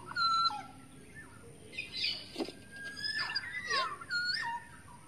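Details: Wild black-naped oriole from the forest, recorded as a lure call: clear whistled notes that step down from higher to lower pitch, mixed with other overlapping bird chirps and soft background noise.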